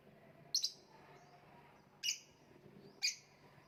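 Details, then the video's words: Lovebird, kicau mania, gantangan macet: three sharp, high, bright chirps spaced about a second and a half apart, each a brief buzzy burst, over quiet low hum. "voice of love bird/ kicau mania lovebird gantangan macet"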